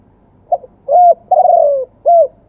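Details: Spotted dove singing live in the wild-voice two-'kuk' style. A short soft note leads into a hooted coo, then a long downward-sliding rolling note, ending in one clear arched hoot.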